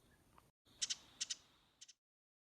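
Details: A Ruby-crowned Kinglet in winter at The Sea Ranch gives its distinctive call, three quick, dry, husky double notes, 'ji-dit', high and scratchy, spaced about half a second apart over a faint hiss.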